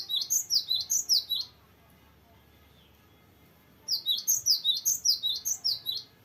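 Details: Gelatik batu (cinereous tit) in strong rolling song: two fast runs of piercing high notes, each a rhythmic string of about ten ringing chips, with a quiet gap between.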